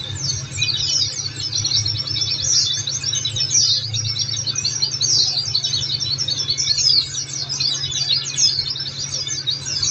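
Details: Oriental white-eye song, played to prompt caged birds to answer: a steady stream of thin, very high twittering notes, rapid and jumbled, with a low steady hum underneath.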